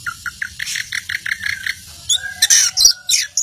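An Orange-headed Thrush sings a quick run of about a dozen short, even chirps, then bursts into varied, sharper whistles with high, thin sweeping notes.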